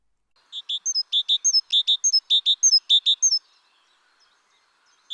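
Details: Great tit, the largest tit species, known for a rather rich song repertoire: a clear ringing phrase of two equal high notes and a sharper slurred upper note, repeated about seven times in quick even succession, then silence and one final note.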